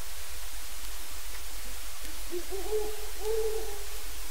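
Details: A wild great horned owl in the distance gives two deep, soft "wild" hoots, each about half a second long, over a steady low hum; it also gives single squawks, a fairly uncommon vocalization.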